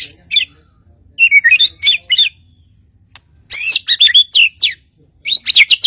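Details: High, clear song from a white-rumped shama of Kalimantan: sharp whistled notes and short slurred bursts in three separate clusters, broken by brief silences.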